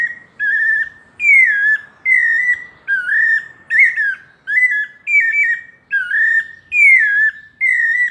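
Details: Sweet, clear whistles from a pale-breasted thrush singing paulista-style, phrases of varied shape following one another roughly every 0.8 seconds, background nearly silent.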